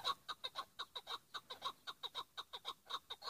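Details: A Chukar partridge repeats its 'pat' call. The short, evenly spaced, ringing chuk notes come about five or six each second, clean and strong throughout with no other sound.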